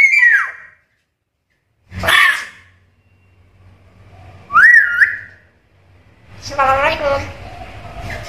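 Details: Black-capped lory that talks and imitates varied sounds, producing a falling whistle, a rough burst, a looping whistle, and a longer warbling, voice-like phrase, with short silences between.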